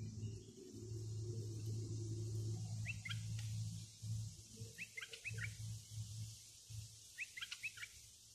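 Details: Bulbul decoy for luring wild birds, singing three separate brief warbled phrases of a few quick liquid notes spaced about two seconds apart, with a deep rumbling hum fading midway.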